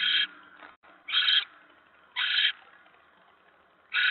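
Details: Barn owl at the nest, mouse delivered on the evening of 10 November 2017: loud rough hissing screeches, four bursts at uneven intervals of one to one and a half seconds, with a quiet gap and a click.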